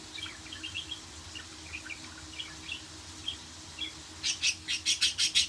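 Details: Budgerigar warbling in scattered soft chirps, then ending with a burst of loud, harsh, rapidly repeated raspy notes about five per second.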